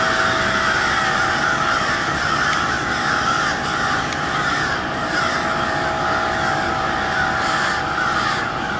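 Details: Noisy crows at cold twilight in Westport, Kansas City: a dense, unbroken wash of many overlapping caws held at a steady level throughout, with a low steady hum underneath.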